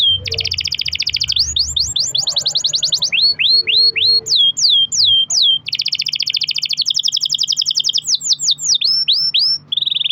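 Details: Canary song used as a lure to set other caged canaries singing, long rolls: rapid rattling trills give way to repeated downslurred whistles, more fast rolls and falling sweeps, with a faint low hum and soft background murmur.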